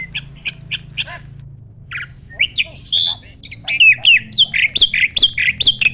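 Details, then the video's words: Asian pied starling, a mature male ready for the mating season, performing its pumping display song: spaced scratchy notes at first, then a louder tumbling stream of squawks, whistles and rising chirps over a low hum. "BURUNG JALAK GACOR MOMPA-MOMPA!!! JANTAN TULEN."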